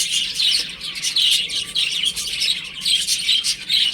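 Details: Baby chickens playing at home: a dense chorus of many high, shrill chirps overlapping continuously, rising and falling in loudness in waves every second or so.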